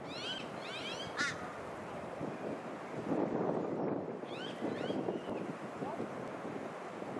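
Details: Eastern osprey on the Sunshine Coast, Queensland, in September 2021, giving two short bursts of thin, upslurred whistled cheeps against loud roaring wind or surf.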